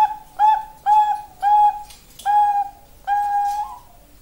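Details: Zebra dove of the Bangkok type, its song described as a tired voice: a series of six clear, steady whistled coos around the same pitch, each about half a second long, spaced roughly every 0.6 seconds.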